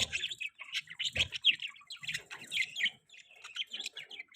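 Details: Budgerigars giving a mating call: dense, warbling chatter of quick chirps and twittering notes, several birds overlapping, with a brief low thump near the second mark.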